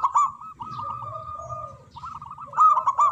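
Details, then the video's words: Big-voiced local zebra dove singing: rapid rolling coos in a steady trill, with a lower, drawn-out coo beneath and loud emphatic notes opening and closing the passage. "Perkutut Lokal Gacor Suara Besar Manggung"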